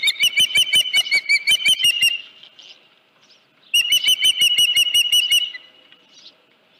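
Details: Two loud bouts of rapid piercing chirps from an osprey at the Dunrovin Ranch nest, 31 July 2018, when a headless fish arrived in the morning; each bout lasts about two seconds, separated by a quiet gap.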